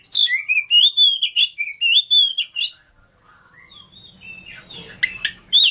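An Oriental magpie-robin sings rapid, varied whistled phrases with bright sweeping notes and trills, then a quieter, scratchier passage over a faint low hum.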